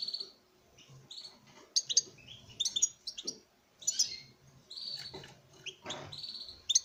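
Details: European goldfinch male in courtship song toward a female in a breeding setting: jumbled twittering, twangy buzzes and sharp high chips, with a few soft knocks in between.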